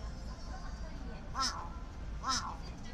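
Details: Large-billed crow at a favourite convenience store, giving two harsh, downward-bending caws roughly 0.9 seconds apart against constant low rumbling background noise and a thin steady high tone.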